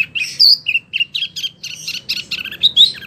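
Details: Wambie mini singing hard, used for training competition birds. Dense, fast sequence of high chattering and whistled notes with short sweeping accents, over a faint low hum.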